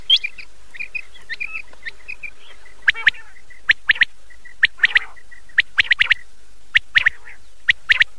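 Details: Nocturnal common quail calls from an old cassette: a soft string of short even notes at the start, then sharp clipped bursts of two to four notes and faint drawn-out notes, repeated irregularly.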